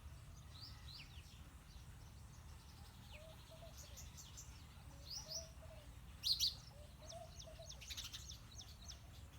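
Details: Male and female house sparrows chirp in short, bright notes scattered throughout, with a louder cluster of chirps near the end, over a steady low rumble of background noise.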